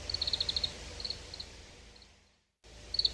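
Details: Oriental greenfinch twittering in a fast run of about ten clipped notes, then sparser single notes, a short cut of silence, and another quick trill at the end.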